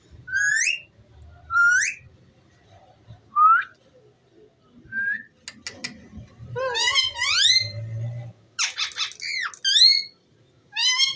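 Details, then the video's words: Ringneck parrot talking: clipped upswept whistles repeated every second or so at first, then denser chattering phrases of bent, harmonic notes, with faint low room noise. "Talking parrot so cute"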